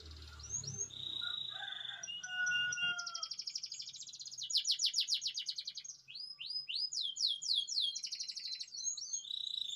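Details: Atlantic canary, a constant singer with rolls and varied phrasing: held whistles and faint chirps, then long buzzy trills, louder pulsed rolls and strings of quick rising notes.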